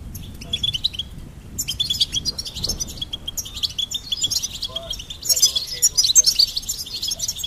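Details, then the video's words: Goldfinch song: a quiet start, then fast liquid twitters and bright chirps over a sustained high trill, rising into excited, jangling bursts toward the end. "Goldfinch Singing and Song Compilation"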